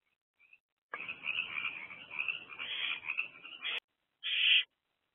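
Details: Barn owlet in a nest box on the evening of 20 April 2024, calling for food after returning to the box: a long raspy hissing screech lasting about three seconds, then a brief pause and a short loud harsh burst.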